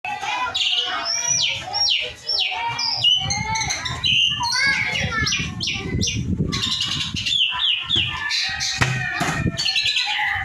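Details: Asian pied starling (jalak suren) in loud, continuous song: dense jumble of slurred whistles, chattering notes and harsh rasps sweeping up and down, over a steady rumbling background noise.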